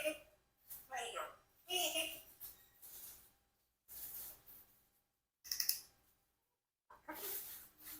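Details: A 4-year-old Congo African grey parrot mimics sneezing: a string of short, breathy fake sneezes and chattering bursts with pauses, one sharper sneeze near the end, compared with a real one.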